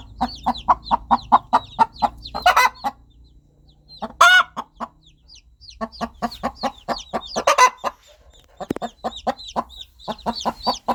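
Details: Hen calling her chicks with rapid rhythmic clucking, broken by a few louder harsh squawks, while thin high peeps of baby chicks run through the gaps.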